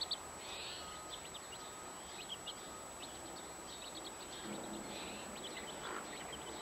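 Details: Domestic chicken family, a mother hen with 15 chicks; faint high-pitched peeps come in scattered short bursts over steady background noise.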